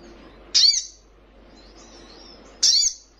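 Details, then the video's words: Fledgling sunbird giving two sharp, very high-pitched chirps about two seconds apart, each a brief bright note with a short trailing tail, against a quiet background with faint higher whistling between them. "Sogon trotolan paling gacor"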